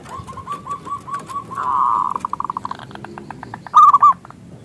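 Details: Local zebra dove lure song: a soft series of rounded coos, a buzzy trill and quick pulsed notes, ending in a loud short stuttered burst.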